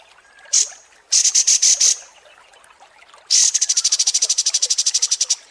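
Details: Kapas tembak in a long tutoring recording for contest birds: a single shrill note, a cluster of piercing high chips, then an extended fast trill of very high, evenly spaced notes.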